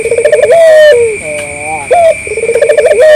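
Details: Local collared dove cooing as a lure meant to draw replies from other doves. A fluttering run of pulses climbs into a long coo that drops away, then a short bent note and a fresh pulsed run. Faint continuous high-pitched hum behind.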